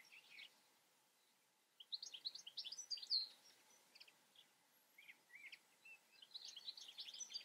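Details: European goldfinch delivering lively, jumbled high twitters and tinkling notes in several bursts with brief gaps, over a quiet hiss-like background.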